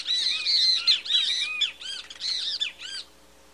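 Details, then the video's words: A great kiskadee sings, giving loud, harsh, arched notes in quick bursts, rising and falling, for about three seconds, with a faint low hum underneath. "CANTO DO BEM TE VI"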